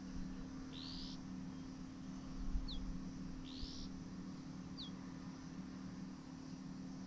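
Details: Male Dark Grey Bush Chat feeding chicks at a nest in a hillside earth bank among daisies in a Himalayan sanctuary; two harsh buzzy notes, each followed by a thin quick downslurred tick, over a constant low background hum.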